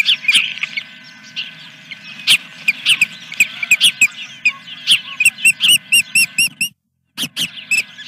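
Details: Osprey calling at the Dunrovin Ranch nest, morning of 3 May 2021, in the Fish #1 scene: scattered sharp chirps, then a run of about ten evenly spaced, clipped high whistles, a short dropout, and more chirps over a constant hum.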